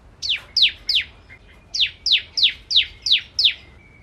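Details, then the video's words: Lively bar-winged prinia song for tutoring white-rumped shamas: sharp, high notes sweeping downward, three given quickly, a short pause, then six more in an even rhythm. "Masteran Ciblek Kristal Gacor"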